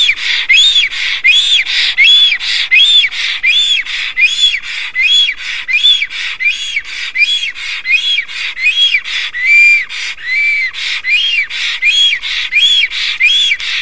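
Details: Loud greeting call of black storks at a nest site in Estonia, April 2019, during preening and courtship: a long, steady run of hoarse, hissing pulses with arched whistles inside, repeated evenly for about fourteen seconds.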